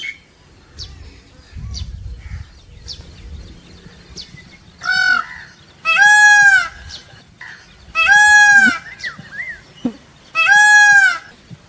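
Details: Indian peafowl calls from a peacock and peahen family, the male said to dance: after soft scattered sounds, four loud, nasal, ringing calls, each about a second long and rising then falling, follow at roughly one-and-a-half-second gaps.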